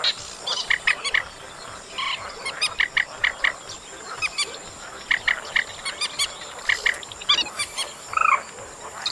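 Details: Chestnut munia, August recording: spaced, buzzy double notes given in short series, with a louder curling, upslurred call near the end, over a quiet, hissy background.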